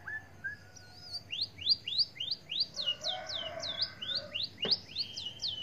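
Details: White-headed munia in lively song mimicking canary and oriental magpie-robin: a string of sharp rising whistled notes, roughly three per second, with a brief buzzy chatter midway and a sudden click near the end.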